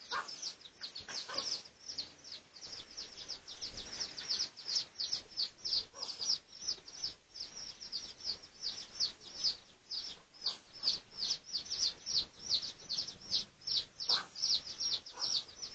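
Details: Pradu-colour red junglefowl, research recording made 18 August 2023: a long, busy stream of piercing high peeps, each falling in pitch, about two or three a second, growing louder and denser toward the end.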